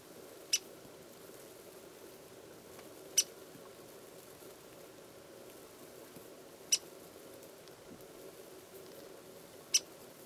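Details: A Ladder-backed Woodpecker (Dryobates scalaris) at Bosque del Apache gives four sharp, high 'pik' calls spaced about three seconds apart, over a low steady background rumble.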